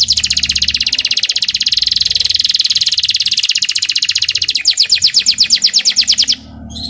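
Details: Young local canary sunned in the morning to make it sing higher, giving a long rapid buzzy trill that breaks into slower, louder pulsed notes before ending.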